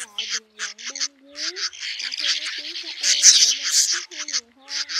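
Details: Male and female swiftlets call a flock to roost in a lure recording; harsh, buzzy twittering comes in clustered bursts with brief pauses and a thin low humming tone beneath.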